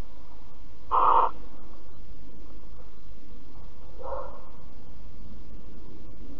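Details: Barn owls cuddling in Alphen, 5 September 2019 at 09:46: a single loud, rasping hiss-screech near the start, a fainter, softer hiss some three seconds later, steady low hum throughout.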